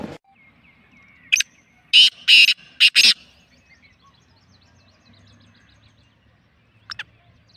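Black francolin gives a loud, harsh phrase of four or five grating, rasping notes over about a second. A fainter thin whistle and a later short note follow.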